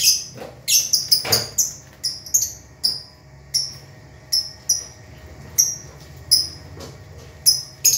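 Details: Several caged lovebirds, some singing actively while others sleep or sit in pairs; sharp high chirps in bursts and short runs, irregularly spaced, some close together, with quiet gaps between.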